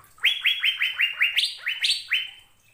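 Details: ['Recording meant to train caged birds to sing: an Asian fairy-bluebird delivers a fast, even series of ringing upward-sliding notes, two of them pitched higher than the rest.']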